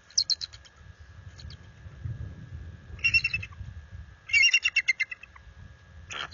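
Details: After dark in February 2022, a bald eagle pair defends its nest and territory against a visiting adult eagle. Three clusters of quick, high, stuttering chirps are heard, the last series longest and loudest, over a steady low rumble.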